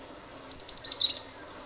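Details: Cinereous tit (gelatik batu) song used as a lure to get other birds singing: one quick burst of four or five high, sharp whistled notes, dropping slightly at the end, over a quiet background.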